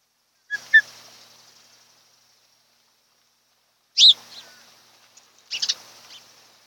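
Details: Wild osprey at a nest on Kent Island, Maryland, where a mated pair breeds, recorded by a nest camera early on the morning of 12 July 2018. Three brief bursts of high, sharp chirping calls are separated by silences of a few seconds.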